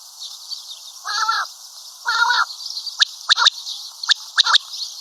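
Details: Common quail call, locally batair; two harsh buzzy bursts a second apart, then crisp triple-note phrases repeated about once a second, over a steady high hiss.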